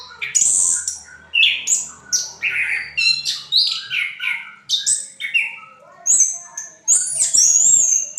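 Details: Singing orange-headed thrush, ngriwik style: a rich medley of rapid chirps, whistles and slurred notes, bursts coming every half second or so, ending in higher sustained whistles.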